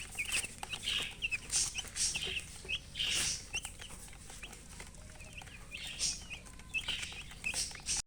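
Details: Colored chicks calling out from thirst for water; bright downward peeps in short groups, mixed with hissy rustling bursts and occasional knocks.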